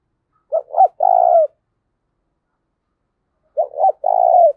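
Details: Spotted dove calls used to train and lure doves: two three-note cooing phrases, each two short coos then a longer rough purring note, separated by about two seconds of silence.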